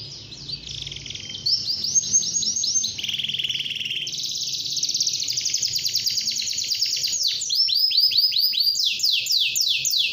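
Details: Chatty, vigorous canary singing in the morning to make other canaries join in. A long varied sequence of trilled tours at shifting pitches, ending in wide, ringing downward swoops. It grows louder toward the end, over a quiet low hum.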